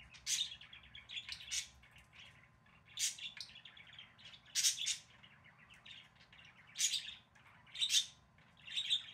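A budgerigar gives bright, scratchy chirps and squeaks in quick irregular bursts.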